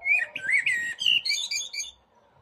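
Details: A common blackbird sings in a tree in spring, calling for a mate: a short, mellow fluted warble sliding between notes, then ending in a thin, high squeaky twitter.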